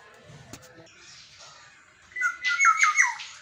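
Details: Pet black-naped oriole whose dawn singing wakes its keeper. After a quiet start with faint clicks, a rich, fluting whistled phrase of rolling, wavering notes ends in a downward slur.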